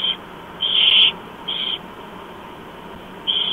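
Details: Barn owl chicks, four of them, being fed by an adult at breakfast in Chula Vista, USA, on 28 October 2015 at 07:29; harsh hissing screeches in short bursts, four in under four seconds, over steady low hum.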